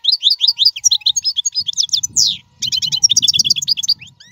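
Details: Strong European goldfinch song for teaching caged young birds how to sing: dense rapid twittering and tinkling trills, a brief pause, then another fast run of repeated high notes, over soft low rumbling noise.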